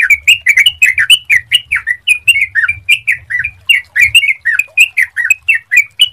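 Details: Sooty-headed bulbul lure song for encouraging other bulbuls to sing, a rapid, chattering series of clear whistled notes that bend up and down, delivered almost without pause for six seconds.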